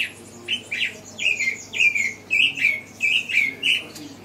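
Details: African thrush (Turdus pelios graueri) at Kibuye, Rwanda, in March 2013, gives about ten short, slurred, downward notes at a quick, steady pace of two or three a second over a faint low hum.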